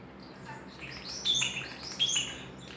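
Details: Pet common starling making noise just to hear himself: a quiet start, then sharp high whistled notes and buzzy chirps in two loud bursts near the end, over soft background hiss.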